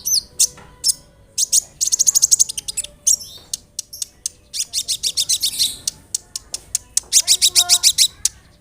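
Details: Olive-backed sunbird (kolibri ninja) song, used as a lure to make other sunbirds answer and to restart birds that stopped singing: dense, very high, sharp chirps and fast ticking trills in bursts, with short gaps between.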